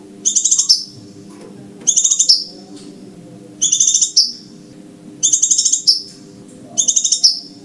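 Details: Scarlet minivet lure calls: five clean bursts of high, buzzy, fast-pulsed notes, each closing with a quick downward slur, spaced about every one and a half seconds above a quiet low hum.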